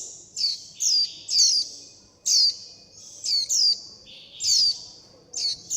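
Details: Chirps of young warbling white-eyes crying for their mother and flock, demanding food. Shrill, falling notes, sometimes doubled, sound about once a second above a continuous high-pitched whine in a quiet background.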